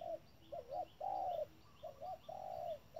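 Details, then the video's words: Spotted dove kept as a decoy bird at a trap, calling hard; two cooing phrases of short rounded notes building to a long drawn-out coo, mid-pitched, with a faint low note between phrases. "bẫy chim cu gáy. bổi thúc lợi cốt k dám chung cây"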